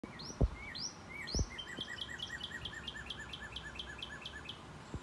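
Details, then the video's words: Northern Cardinal giving a few slurred whistles, then a quick run of about a dozen clear, sliding notes, roughly four per second; a few low thumps in the background. "Northern red cardinal call"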